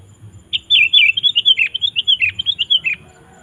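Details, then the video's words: Sooty-headed bulbul singing to call wild bulbuls: a quick run of about fifteen bright chirping notes around mid-high pitch, rapidly repeated over two and a half seconds, with faint low background rumble. "Suara Burung KUTILANG GACOR Memanggil Kutilang Liar Ikut Gacor"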